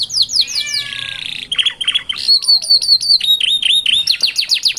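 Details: Young canary birds singing by a roadside in a distinctive rhythm: descending high chirps, a short rattling phrase, then evenly repeated clear whistled notes dipping in pitch.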